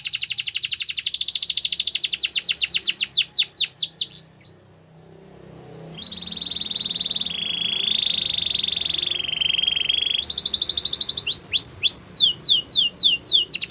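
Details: Russian canary training song, with a rapid high trill slowing into downslurred notes, a brief silence, then long even rolling tones at stepped pitches, followed by more fast sweeping notes.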